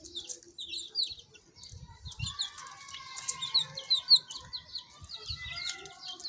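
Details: Several baby chicks chirp with sharp, high, descending peeps in quick bursts, accompanied by low thumps and rustling from the birds moving about.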